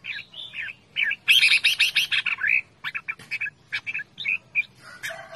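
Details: Red-whiskered bulbul calling loudly in a playful way; a rapid run of bright, scratchy notes gives way to brisk, choppy chirps that repeat several times a second.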